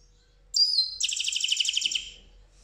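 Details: European goldfinch singing on 8 June 2019: a thin high whistled note sliding down, then a fast buzzy trill of rapid repeated notes lasting about a second in a quiet setting.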